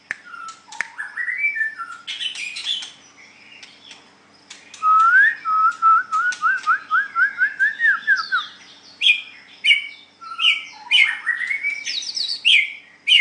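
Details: Contest singing of the white-rumped shama: mixed scratchy notes, then a long series of about a dozen rapid rising whistled notes, followed by varied high chirps and slurs.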